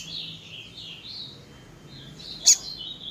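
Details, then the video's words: Female Double-collared Seedeater calling persistently to stir up males: a soft, high twittering chatter of short sliding notes, then one sharp, loud chip near the end against quiet background hiss. "Fêmea de coleiro piando muito"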